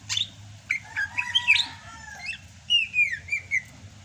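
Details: Rainy-season song of a Sumatran greater green leafbird. Quick sweet whistles and twittering notes, then a clear descending slurred whistle followed by several short rising whistles.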